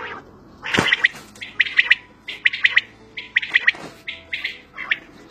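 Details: Quail calling out in open country: short bright chirping notes grouped in quick clusters of two or three, repeated about once a second, with a harsher squawking note near the start and faint low background hum.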